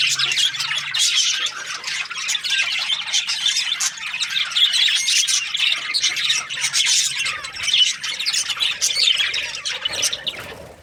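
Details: Flock of budgies chirping nonstop, a busy tangle of harsh squawks, buzzy warbles and short twittering notes, steady in loudness before fading out at the end; a low hum underneath.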